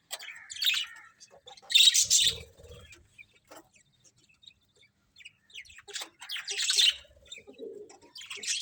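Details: Colourful budgerigars in a colony chirp in scattered, raspy bursts between quiet stretches, with a loud squawky outburst early and another near the end.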